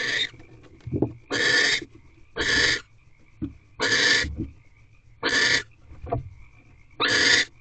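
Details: Barn owls in a nest box at night, the male having brought prey before mating with the female; separate hissing screech bursts about a second apart, with soft low thumps in between.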